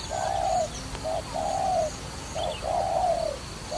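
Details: Dove recorded in a trapping setting, giving low hollow coos: a short note followed by a long, level, slightly falling coo, repeated about three times in under four seconds over faint steady background hiss.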